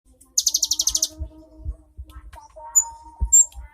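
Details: Cinereous tit giving a single fast, buzzy, high trill of about ten rapid pulses lasting under a second, followed by faint scattered chirps, a steady low hum and soft knocking sounds.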